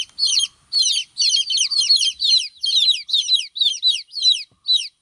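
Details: Baby chicks chirping in quick succession, bright high peeps sliding down in pitch, grouped in bursts a little over two per second, several chicks overlapping.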